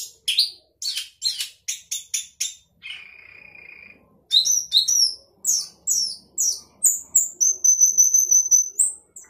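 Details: Chatty sooty-headed bulbul with a song full of fill-in phrases: a rapid series of clipped, squeaky notes, a drawn-out lower buzzy tone, then high sliding whistles and a long thin piping note.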